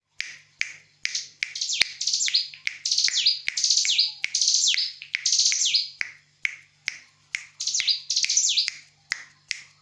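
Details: Bar-winged prinia lure call, played to make other birds answer: rapid high chirpy phrases of bent, slurred notes, grouped in bursts and separated by sharp clicks.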